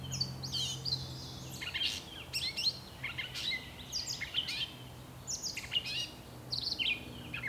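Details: Gray catbird in a bush pouring out a continuous, rambling song of mixed scratchy notes, squeaks and slurred chips with short gaps, accompanied by a low steady hum in the background.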